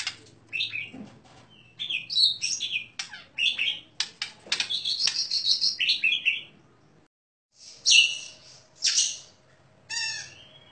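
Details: Prize-winning caged Oriental magpie-robin singing sharp, varied phrases: a quick series of short whistles, clicks and slurred notes, a brief silence, then a few loud emphatic bursts of rich, harsh-edged notes.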